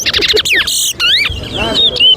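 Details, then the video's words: Towa towa, or chestnut-bellied seed finch, in a counted whistling contest at Alligator Pond, Guyana, 2024; rapid descending chirps, then clear sweeping whistles and a drawn-out rising-falling note, over murmured speech and a noisy burst. "TOWA TOWA BIRD WHISTLING COMPETITION"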